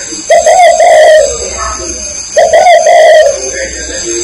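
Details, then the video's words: Spotted dove from Ba Vì, Hanoi, Vietnam, giving two long, wavering, slightly descending coos about two seconds apart, with a steady high electronic whine throughout. "CHIM CU KHÁCH BA VÌ"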